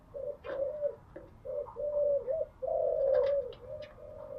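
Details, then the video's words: Spotted doves cooing in the early morning, kept as cage birds; soft low coos held in long steady notes, several overlapping, with faint high chirps and background noise. "Tiếng chim gáy buổi sáng"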